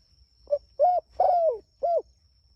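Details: Calling to its companions, a spotted dove gives a single cooing phrase: a brief soft note, then a rounded coo, a longer drawn-out falling coo, and a final arched coo.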